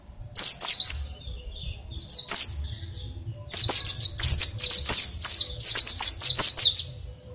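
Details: An oriental white-eye sings naturally at dawn, giving high, thin twittering phrases of quick chirps, several sweeping downward, in bursts with brief pauses, over a faint low background hum.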